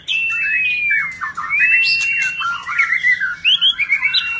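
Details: A white-rumped shama in display sings a long, pure whistle that glides downward, then rises into fluid varied phrases ending in quick repeated chipping notes.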